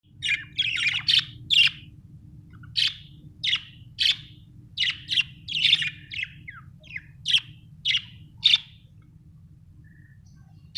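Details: Budgerigar chirping: a lively string of short, bright, scratchy chirps arriving in quick bursts about every half second to one second, over a steady low hum in the background.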